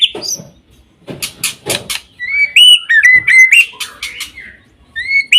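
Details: White-rumped shama, called a champion singer, giving a varied song of clear whistled notes that slur up and down, mixed with sharp clicks and short buzzy bursts, with brief pauses between phrases.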